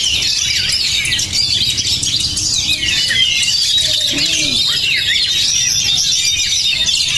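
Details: Oriental magpie-robin, or kacer, praised as emotional and steel-nerved, singing a steady rush of high chattering and slurred whistles; a few lower, downward-curving notes, possibly another bird, sound near the middle.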